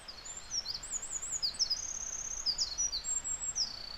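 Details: Wild Eurasian wren in Japan in early May, climbing onto a nearby branch and singing briefly: a very high, rapid outpouring of trills and twittering notes, continuous and shimmering throughout, over soft steady background noise.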